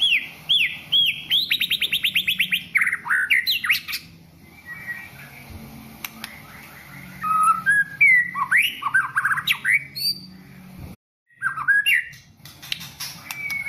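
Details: White-rumped shama pouring out a varied whistled song: a fast rattling series of repeated high notes, then looping slurred whistles and lower fluty phrases, with a short break near the end and constant low hum behind.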